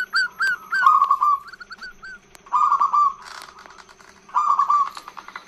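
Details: Female zebra dove calling to lure males, a long-voiced call: repeated bursts of bright rising-and-falling whistled notes run together into a rapid trill, three bouts over five seconds, over a steady pulsing background hum.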